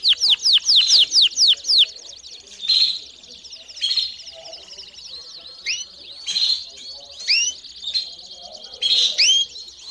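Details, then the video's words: Domestic canary song meant for training young birds: bursts of rapid descending whistled sweeps and short chirpy phrases, separated by quieter gaps, with upward-curving high notes near the end. "CANÁRIO DO REINO CANTANDO E CHAMANDO ÓTIMO TREINO PARA FILHOTES!!!"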